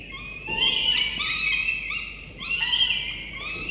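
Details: Two falcon chicks aged 24–25 days at a nest, begging in the morning as their father brings prey, give high, raspy, wheezing screeches run together in two long bursts with a brief dip between them.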